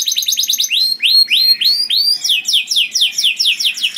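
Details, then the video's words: Canary delivering a loud, melodious lure song for other canaries: brief fast trill, then several rising whistled swoops, followed by repeated downslurred notes in steady rhythm. "Burung Kenari Bunyi Gacor Merdu dan Keras Cocok Sekali Untuk Pancing Kenari Lain || Voice of Canary"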